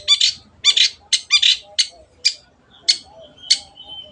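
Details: Long-tailed shrike, an energetic singer, in a tutor recording. Rasping double bursts come first, then single harsh notes spaced about half a second apart. The notes grow sparser toward the end, with a thin whistle at the close.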